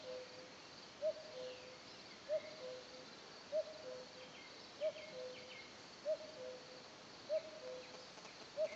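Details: Steady series of seven falling two-note calls from a common cuckoo, Lot, France, evenly timed roughly every 1.25 seconds; soft high chirps of other small birds and a faint background hum fill the calm rural air.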